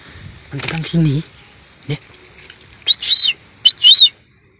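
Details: Wild red-whiskered bulbul near a house, answering a caged decoy bird in strong wind. After a man's voice come a few loud, short, high whistled notes, slightly rising then falling, in two quick bursts.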